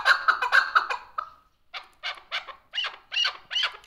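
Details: Chukar partridge recorded June 18, 2023, uttering harsh, grating chuk notes: a quick burst of four or five, a brief pause, then a slower series of rasping, rising notes spaced about a third of a second apart.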